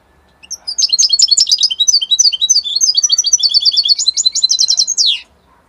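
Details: Italian European goldfinch in captivity singing a sustained, lively twitter of rapid chirps and repeated trilled phrases, finishing with a downward buzzy slur, in a quiet indoor setting.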